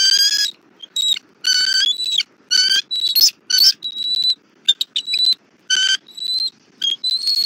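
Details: At a Southwest Florida bald eagle nest, the morning of 3 February 2024, during a feeding of the eaglet with a rabbit. Loud, repeated, piercing squealed chirps alternate with thinner steady whistles in an irregular rapid series.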